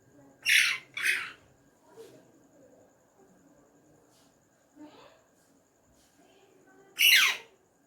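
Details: Hand-tame ringneck parrot talking in Urdu/Hindi: two quick harsh, breathy syllables, a long quiet gap with faint murmurs, then one more loud rasping word near the end.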